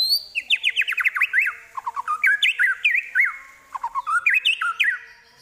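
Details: White-rumped shama song with imitated prinia, kapas tembak and eagle calls: fast strings of zigzag chirps in three bursts, interspersed with lower slurred notes.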